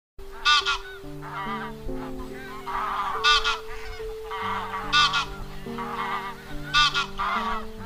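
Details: Wild geese calling the flock, a lure call for net trapping: a dense chorus of nasal, harsh honks, with louder bursts about every one and a half seconds, over steady sustained music tones.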